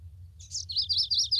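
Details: A male Chestnut-sided Warbler in Vermont breeding woods, a young open-canopy forest bird, sings its fast "please please please to meet you" song: a quick run of high, thin, slurred notes, about five a second, over a faint low hum.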